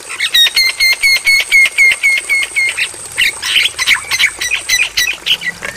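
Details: Javan myna training song for playback at night: a fast regular series of bright whistled chips, about four per second, then a rougher, noisier chatter of squawky notes.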